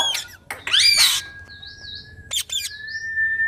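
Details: Parrot giving loud harsh squawks and rising screechy notes, with long level whistled tones and wavering higher whistles between them, over a low background hum.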